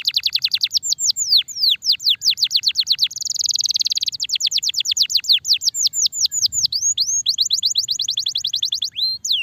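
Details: Continuous long-duration song of a starblue canary used for masteran: fast strings of high, downward-sweeping whistles and a brief buzzing rattle, delivered nonstop at a brisk, even pace.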